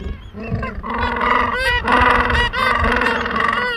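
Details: Gentoo penguin mother feeding her chicks gives a loud, harsh, braying call with rich harmonics. It runs almost continuously for about four seconds, pulsing and swelling in a few waves.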